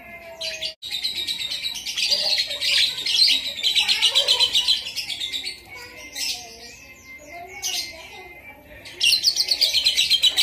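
A Javan myna pours out dense, high, rapid chattering bursts in imitation of a lovebird's long trilling chatter, with a few lower whistled notes.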